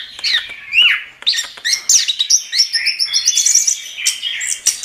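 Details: Lively chestnut-capped thrush song: a looping whistled slur, quick chirps, then a rapid high twittering series of bright notes.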